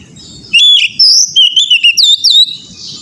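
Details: Singing Oriental magpie-robin for untrained-bird song therapy: a lively sequence of loud fluty whistles, some sliding down, others rising sharply, packed into about two seconds, with low background hum.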